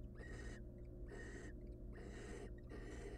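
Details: Barn owl nestlings, wild and hungry, calling for food in their nest box; long harsh hisses of about half a second follow each other almost back to back, four in a row, over background hum.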